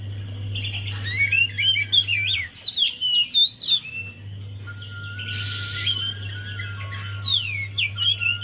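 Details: Javan white-eye singing as a lure to make a quiet bird sing; lively high warbling with rapid chirps and twisting whistles, a noise burst near the middle, a faint steady tone and low hum.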